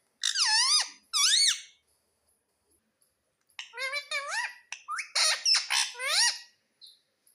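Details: Indoor pet ringneck parrot talking, said to say "mummy": two loud, bright, arching squeaky notes, a pause, then a rapid chattering sequence of bending, rising-and-falling harmonic syllables, speech-like in rhythm.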